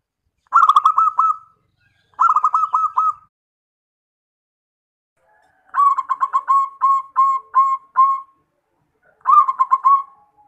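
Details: A local zebra dove whose call is used as a lure to draw other zebra doves to answer gives four bursts of rapid, stuttering mid-pitched coos, the longer third phrase breaking into evenly spaced notes.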